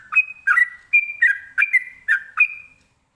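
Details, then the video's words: Sooty-headed bulbul (trucukan) in rapid ropelan-style song meant to make other birds answer: bright whistled notes, each a short rising slur into a flat held tone, about seven in a row at a quick, slightly uneven pace. "ini suara Trucukan ropelan bikin nyaut burung lainya"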